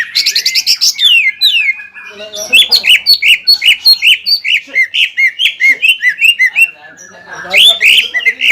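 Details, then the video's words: Greater green leafbird singing to provoke a rival leafbird after its moult; opens with a buzzy rapid trill, then a long run of regular bright chirped whistles, a short quiet gap and more varied phrases. "CUCAK IJO GACOR INI MAMPU MEMANCING EMOSI CUCAK IJO LAWAN HABIS NYULAM AGAR EMOSI KEMBALI"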